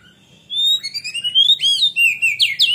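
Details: Lively ngeplong singing from an Oriental magpie-robin, used to draw out young birds. After half a second of quiet, a loud run of clear whistled notes slides upward and then breaks into rapid varied warbling.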